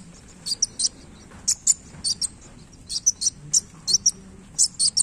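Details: Very high, sharp chip notes from an actively singing kolibri wulung come in pairs and small clusters about every half second. The tail is moving and the background is quiet.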